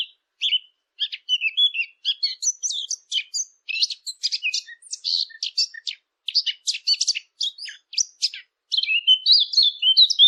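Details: Birds chirp busily for ten seconds, mixing dense clicky, scratchy chatter with short whistled notes in uneven bursts, pausing briefly now and then before ending on a run of clear, high, wavering tweets.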